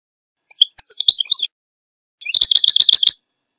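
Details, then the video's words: A goldfinch sings two bright, high bursts: a jumble of tinkling twitters, then a quick run of about six repeated liquid notes. "Goldfinch song"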